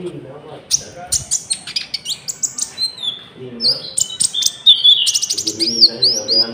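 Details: Common iora singing a lure song, with cricket-sound fills, for trapping and for tutoring caged birds: fast buzzy trills and clicking bursts, then rising whistled slurs near the end over a soft low hum.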